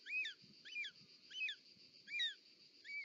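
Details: Short-toed snake eagle at its nest, Parc Natural dels Ports, Catalonia, 18 July 2024, mother with a snake; quieter, slightly uneven series of five rising-then-falling calls over rustling movement noise and a steady hum.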